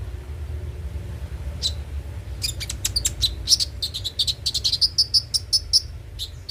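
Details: Kolibri ninja, or konin, singing as a lure to encourage singing: quiet start, then a quickening series of sharp high chirps and repeated short whistled notes, over a low steady hum.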